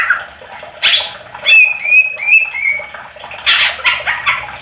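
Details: Greater green leafbird song used as a lure to prompt other leafbirds to answer; clear whistled phrases with slurred notes around the middle, between bursts of harsh, noisy chatter.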